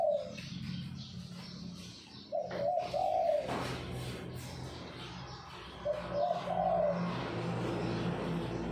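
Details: Perkutut Bangkok, a zebra dove of the Bangkok type whose coo is given as "kuk" twice, heard as soft, low, purring coo phrases at intervals over a steady background hum.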